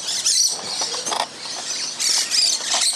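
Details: Musk lorikeets squabbling while feeding in a fruiting tree on a Christmas morning. Continuous high, harsh chatter with bursts of shrill screeches that rise and fall in intensity.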